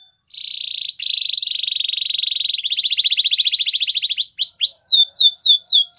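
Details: Singing canary, song meant for training canaries: long, fast, rolling trills that slow into loud, swooping, downward-slurred whistled notes at the end.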